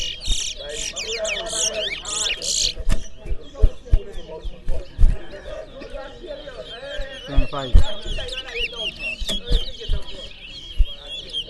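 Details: Towa towa seed finch at a singing competition in Berbice: an opening spell of fast buzzy trills and looping whistles, followed by softer chirps under steady chatter and counting from onlookers.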